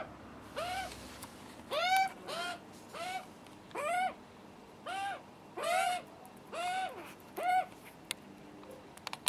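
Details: Juvenile Australian magpies, hungry and screaming for food, visit for the first time while their nervous dad attends. About nine strident, arching squawks repeat roughly once a second over nine seconds.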